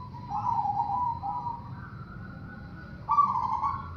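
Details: Zebra dove song used to prompt other doves: a wavering, trilled coo that rises slightly in pitch, followed after a brief gap by a louder purring phrase.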